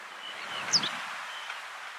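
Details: A White Wagtail (Motacilla alba alba) at Blönduós, Iceland, in June 2019 gives one brief, high, sharp call note that drops slightly in pitch, over steady rustling background noise.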